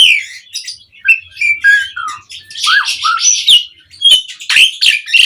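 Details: Lure recording of an Asian pied starling singing 'mompa': a rich jumble of slurred whistles, harsh buzzy notes and squawks run together with little pause, some phrases dipping lower in pitch.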